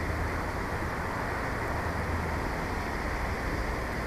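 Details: Dense, even rumble and hiss like passing traffic or a distant train, with no animal calls.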